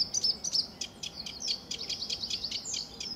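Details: At RSPB Fowlmere on a sunny July 2013 morning, a sedge warbler delivers two sharp high whistles, then a tumbling run of quick, dry chattering notes.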